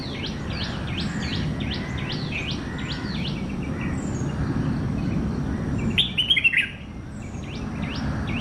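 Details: Bulbul in Kerala: rapid thin high notes repeat in the background, then a sudden burst of bright, bubbling chirps near the end, set against continuous low outdoor noise.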